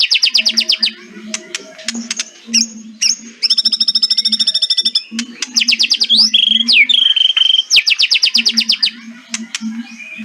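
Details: White-rumped shama in kretekan style, played to make silent shamas sing: rapid buzzy trills and rattles alternating with clear slurred whistles over a steady low hum.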